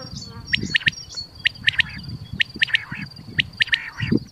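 A common quail repeats its sharp, liquid three-note 'wet-my-lips' call about once a second, over a steady high insect whine and low background rumble.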